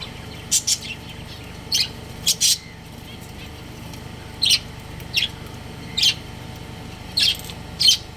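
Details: Pet budgies, a breeding pair, give loud, clean chirps in pairs and singles, spaced about a second apart, against a quiet, humming room background.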